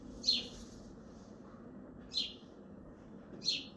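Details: Sparrow on a balcony in Hazaribagh, India, giving single sharp chirps, three in all, separated by long pauses, with a faint hum underneath.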